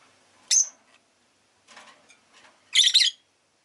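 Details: Rosy-faced lovebird giving a sharp, high shriek, a soft scratchy murmur, then a louder burst of rapid harsh chirps.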